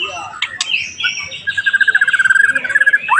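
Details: White-rumped shama (murai batu), pastol song used to provoke other shamas: a few slurred whistles, then a rapid, even trill of many repeated notes lasting over a second, ending in a rising note.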